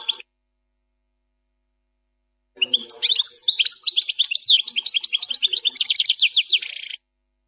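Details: European goldfinch performing a faultless Plak Mine song: a brief note, then a long silence, followed by a four-second flowing stream of quick high chirps, rising slurred notes and a closing buzzy trill.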